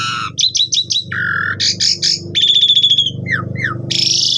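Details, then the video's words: Asian pied starling in constant lure song full of fill-in phrases: a quick chirp series, a flat buzzy tone, harsh bursts, a fast rattle, two short whistles and a rasp, over a steady low hum. "PANCINGAN JALAK SUREN GACOR FULL ISIAN"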